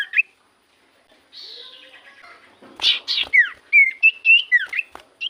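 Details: Common iora lure song to prompt silent birds to answer: short whistled notes, a quiet pause, then harsh buzzy bursts followed by a quick run of clear whistled slurs rising and falling.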